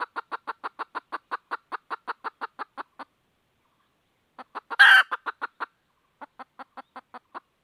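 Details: A red junglefowl hen looking for a rooster: a long series of quick, evenly spaced clucks, a pause, then more clucks broken by a loud, strained squawk, then a final short clucking run.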